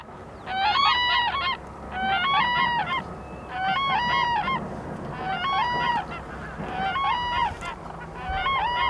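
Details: Endangered Black-necked Cranes foraging in winter in Phobjikha Valley, Bhutan: loud bugling calls in bursts about every second and a half, each a stack of honking notes with rising and falling inflections, several birds calling together.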